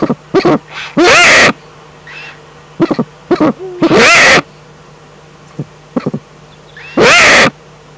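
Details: Eurasian eagle-owl in the Eifel, recorded 11 April 2014: loud, harsh, rasping screeches of about half a second, spaced a few seconds apart, with short clicks and faint lower tonal notes between them.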